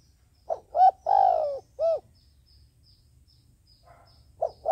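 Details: Trapping decoy dove delivering its phrase: two quick soft coos, a long sliding coo, then a short rounded ending note, followed by quiet and the start of the next phrase.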